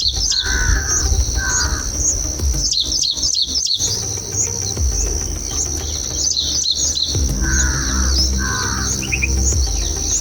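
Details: Bulbul nestlings, very active in their nest, being fed red cherries by their mother; short raspy chirp bursts come in pairs near the start and again near the end, over a steady high insect-like whine, scattered faint high chirps and low rumble.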